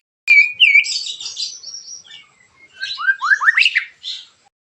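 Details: White-rumped shama giving a coarse, sharp 'tembakan' song to lure other shamas into singing; a sharp click, then whistled and buzzy high notes, a pause, and a quick series of rising slurred whistles climbing in pitch.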